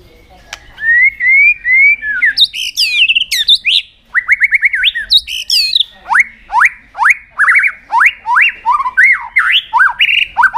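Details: White-rumped shama singing many forest voices without pause in a contest: varied whistled phrases, steep rising sweeps, buzzy rattling bursts, then a long train of loud upslurred notes about two per second.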